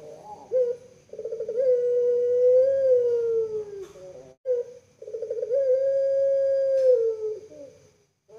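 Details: {'caption': 'Collared dove kept as a puter pelung in Java, Indonesia: a short gurgle, then a sustained mellow coo of about three seconds sinking at the close. A second gurgle and long coo follow, all clear and close.'}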